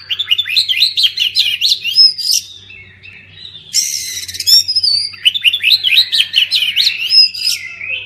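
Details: Lively song of an oriental magpie-robin, used to prompt silent birds to sing: rapid tumbling whistles and sweet slurred notes, interrupted by a short harsher, scratchy burst before the whistled phrases return.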